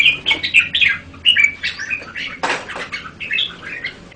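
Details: Red-whiskered bulbul song: a jumble of quick, chattering, slurred notes in short phrases, broken by a sharp knock partway through.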